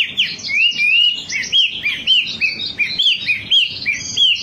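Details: Wambi song used as a lure to get kept birds singing: repeated bright, rising-and-falling whistled notes about twice a second, with some softer overlapping chirps above.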